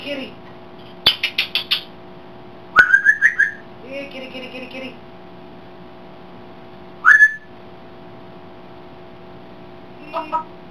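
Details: African grey parrot raised around chickens, imitating them: clucking pulsed bursts, rising whistled notes and low warbled clucks, spaced by pauses, ending in a soft short squawk.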